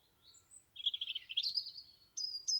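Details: European robin in Dartington sings a quick, high warbling phrase trickling downward, then thin, piercing high notes, with other birds singing nearby and a faint low rumble underneath.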